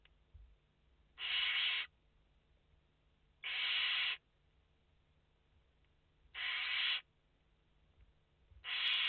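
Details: Barn owl chicks, five in the nest, on a live nest camera, 29 August 2021: four harsh, breathy hisses, each about half a second long, repeated roughly every two to two and a half seconds over a low hum.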